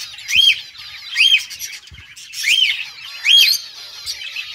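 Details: A budgie chirping happily: clear, arched, squeaky chirps, each rising then falling, given in loud bursts about a second apart with scratchy twitter between them.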